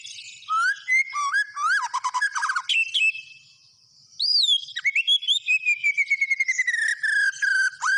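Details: White-rumped shama in full song: loud, varied phrases of whistled slurs, rapid trills and sharp chirps, with a short pause mid-way, then a long descending whistle over fast repeated notes.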